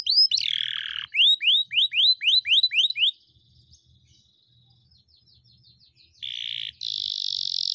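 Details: Actively singing canary in a long rolling tutor song: a falling buzzy slur, then seven clear rising whistles evenly spaced, a soft faint stretch, and two dense buzzy tours at the end.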